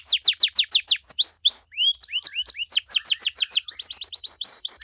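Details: Canary in full 'gacor' song with elaborate 'cengkok mewah' turns, aimed at triggering replies from other canaries: quick repeated downward-swept notes, short whistled slurs, and more rapid descending phrases.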